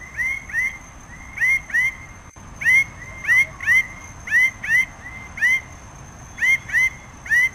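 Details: Red bird-of-paradise giving a long, uneven stream of loud, twangy, rising notes, often in pairs, about a dozen over seven seconds, against a faint continuous high tone.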